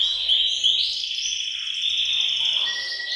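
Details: Group canary song in a bird room, meant to excite males into singing and prepare females: a sustained, very fast high trill with whistled notes layered above, evenly loud throughout.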